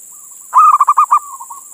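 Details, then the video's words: Male zebra dove of local Indonesian stock calling to a female, used to lure other doves. Soft quiet coos lead into a strong burst of five rolling pulses, then gentle coos trail off; steady hiss. "Suara Perkutut Jantan Memanggil Betina"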